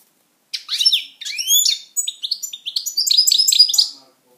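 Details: Pet European goldfinch in song, opening with sweeping, slurred whistles, then breaking into clipped, tinkling twitters and rapid high chirps. Short silent gaps separate the phrases.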